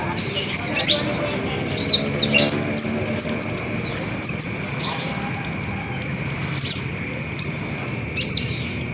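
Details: Sunbird known locally as kolibri ninja, recorded as a lure to provoke caged birds: fast, very high, sharp chirps and short flicked notes in bursts, with pauses between, over a constant thin background tone.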